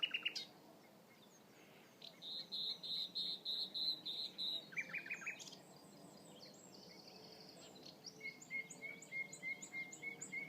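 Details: Nightingale back in a hunting concession in spring sings a varied strophe: a fast, high rattling trill, then a lower churring burst, buzzy clipped notes, and a closing series of evenly repeated whistled notes. Light background noise persists.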